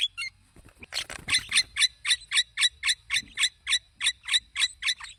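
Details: Wild Javan myna in full song outdoors: a fast, regular run of clipped, raspy notes, about four per second, held evenly throughout.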